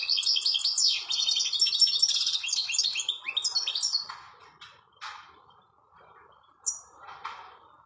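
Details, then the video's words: A European goldfinch sings outdoors in nature. About four seconds of quick chattering trills and twittered notes taper into scattered single chips and a brief high note, over a faint steady hiss. "تغريد الحسّون مع الطبيعة"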